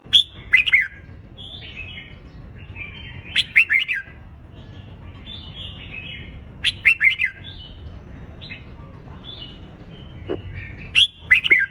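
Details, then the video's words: Red-whiskered bulbul competition song used to stimulate and train young birds: bright, warbled phrases of quick rising and falling notes, delivered in bursts about every three to four seconds with quiet gaps, over a soft low hum. "Chào Mào Kích Bổi Nhanh Lên Lửa – Luyện Chim Hót Đấu Căng, Kích Trống Cực Sung"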